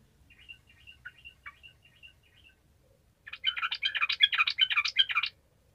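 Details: Sooty-headed bulbul in constant 'gacor' singing, used to prompt lazy bulbuls to sing: soft thin whistled notes, then a loud two-second burst of rapid, bubbly, chattering notes.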